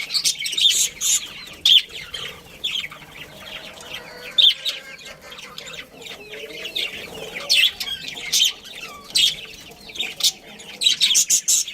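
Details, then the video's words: Budgerigars in a colony that includes a breeding pair, giving spaced bursts of sharp chirps and clicks between quieter soft chatter, with a rapid cluster of notes near the end. "Cute Budgies Chirping Sounds"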